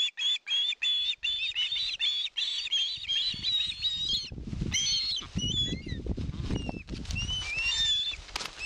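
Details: Osprey at a nest in Satakunta, Finland, filmed by a live nest camera in 2022 while begging for fish: a steady series of high, thin whistled notes, then wind buffeting and flapping noises with scattered sharp whistles.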